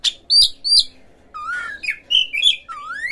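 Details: Oriental magpie-robin singing a lure song aimed at prompting other magpie-robins to sing: clear whistled notes, some dropping in pitch, then a lower, rising slurred whistle and a final long upward sweep.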